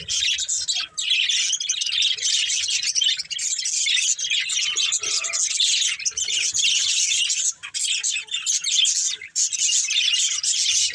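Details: Budgerigar breeding pair in sustained, dense chatter: high scratchy warbling and quick chirps running almost without break for about eleven seconds.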